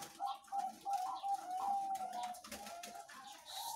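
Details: Zebra doves kept at a breeding farm, birds of various ages, visited on Wednesday 3 July 2019; a run of short, clear cooing notes, several overlapping, repeated rapidly and unevenly, with faint room noise.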